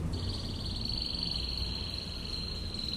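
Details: Canary in ngebren 'tembakan' tutor song: a single even high trill holds one pitch for nearly three seconds. It is somewhat quiet against a low background rumble.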